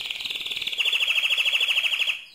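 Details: Mosaic canary in loud song, a rapid rolling trill that shifts slightly lower and grows brighter and more sharply pulsed before stopping abruptly.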